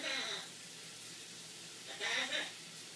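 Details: A blue-and-yellow macaw talking in the shower, saying "we'll see you later", "shake it" and other words: two brief, nasal, speech-like bursts about two seconds apart over the steady hiss of running shower water.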